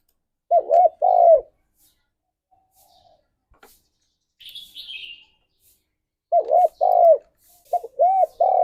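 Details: Spotted dove song, played for pet doves to spur their singing. Two hollow, arched coos open; after a pause with a faint high chirp, a longer series of deep rising-and-falling coos follows.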